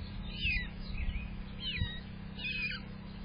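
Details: A female grosbeak in a backyard on a May morning, reportedly not sharing, gives four slurred, descending whistled notes about one per second, over a steady low hum.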